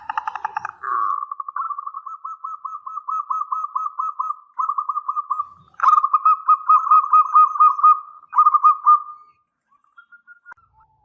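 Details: Local zebra dove in full voice with a long lure song: a nearly unbroken staccato trill of soft, rapid coos on one steady pitch for about nine seconds, with two short pauses and a fading end.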